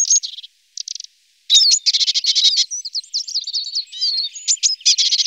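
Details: Eurasian siskin eating from alder cones, short buzzy bursts then a long run of fast chirps, wheezy trills and sharp upward-flicking notes.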